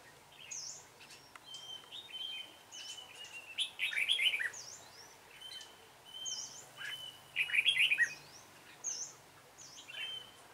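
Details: During a trapping session on 28 February 2017, a dark-bibbed red-whiskered bulbul sings. Two bright, rapid warbling bursts arrive about four seconds apart, linked by a steady whistled tone, while high chevron-shaped notes from other birds sound throughout.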